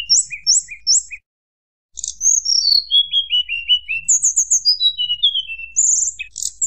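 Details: Rival-provoking flute-like song of a Sunda blue robin: three quick paired chirps, a pause, then high whistles cascading down the scale, followed by a rapid trill and more sliding whistled phrases.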